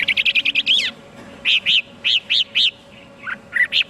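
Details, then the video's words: Chinese hwamei giving a fast burst of short clipped notes, then a pause and a series of separate ringing whistled notes spaced about a quarter second apart, ending with a few scattered chirps. "tiếng chim hoạ mi hót cực hay"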